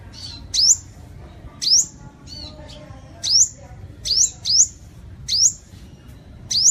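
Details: Sunbird on a lure recording meant to draw in birds: high, sharp upswept notes repeated irregularly, about seven in the stretch, some paired, with a few softer lower chirps between them.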